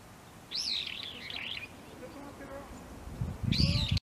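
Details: Brown-eared bulbul (Hypsipetes amaurotis) at an early-blooming cherry tree, Saitama, Japan, 17 March 2022: a loud, shrill, wavering squeal of about a second, then another harsh call, over low rumbling and faint voices.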